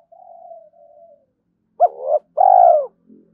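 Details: Spotted dove at early morning, cooing to incite fighting and lure. Soft drawn-out low coos lead into one loud phrase, a short double note followed by a long rounded coo, then a faint murmur.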